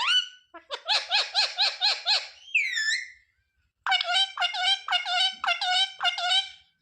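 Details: Rose-ringed parakeet mimicking words like mummy and papa: a quick run of six nasal, evenly spaced syllables, a sliding whistle, a brief pause, then another run of six similar notes.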